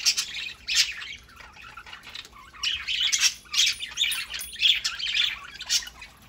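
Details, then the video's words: Several pet parakeets in loud Saturday-morning chatter, strong raspy warbles and squawks in waves, a brief lull before building again to busy overlapping calls. "Parakeets Saturday morning"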